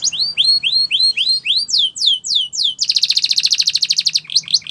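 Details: Belgian canary song meant to make other birds sing, for training: repeated rising swept whistles, then a dense fast buzzy trill and a few final upswept notes.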